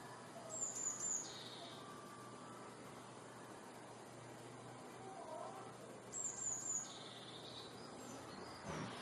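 Eurasian blue tit singing two phrases, six seconds apart: very high, thin see-see-see notes, each run into a lower, quick buzzy trill, over a steady background hiss.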